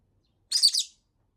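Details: Single loud, harsh double-peaked screech from a pet rosy-faced lovebird voicing its displeasure after a week with no play, high-pitched and under half a second long in silence.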